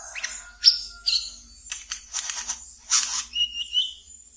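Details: Captive wiceh (brown-throated sunbird) from a keeper's collection, singing ngeriwik style used as a lure for untrained birds: sharp high chirps and buzzy bursts, one long thin falling whistle early on, irregular twittering throughout.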